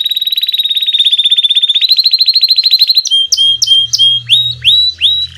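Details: A Belgian canary sings a fast, rolling trill that breaks into sweeping, repeated whistled notes.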